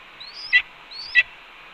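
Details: Red-tailed hawk calling at its Cornell nest on 4 May 2013 at 1:29 PM, filmed by nest camera while its mate, having brought two voles, eats a pigeon; two thin rising whistles each end in a sharp, harsh downward burst.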